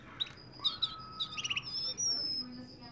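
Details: Russian canary singing in Kuwait: high whistled notes and short trills, with a long steady whistle held near the end, over low background hum.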